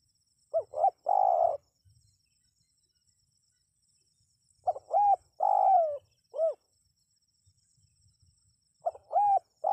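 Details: Spotted dove calling to prompt wild birds to answer. The low phrase repeats three times, about every four seconds: two or three quick arched hoots and a long, even, buzzy coo, with a separate hooted note after it.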